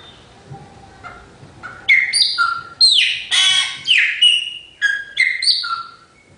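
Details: Chopi blackbird singing after soft, scattered opening notes. A lively burst follows of slurred whistles, gurgles and harsh buzzy notes, delivered in short separate phrases.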